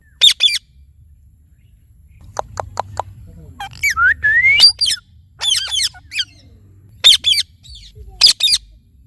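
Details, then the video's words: Talking Indian ringneck parakeet with a varied run of sounds: thin clicking ticks, a rising whistled slide, then harsh doubled squawks coming in quick bursts, over a low background hum. "Talking Parrot Chirping Sounds"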